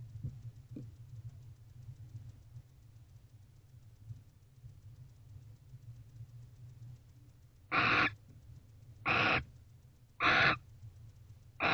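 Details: Barn owl at a nest box on November 29 at 5:19 am, the male returning and mating with the female, then leaving at once; after a low rumbling stretch, four harsh, broadband hissing screeches about a second apart.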